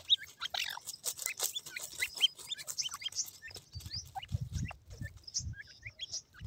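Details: Grey francolin chicks with white plumage playing around their feed, making a noisy scramble of chirps and thin peeps at first, then fewer scattered upslurred notes over low bumping sounds.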